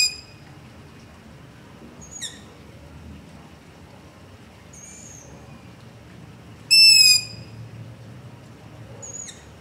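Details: Nocturnal begging calls of a long-eared owl near a home, recorded on a ZOOM H5 with LOM Usi Pro: five thin, high squealing notes spaced irregularly over ten seconds, one much louder and closer, the others faint, with low rumbling background.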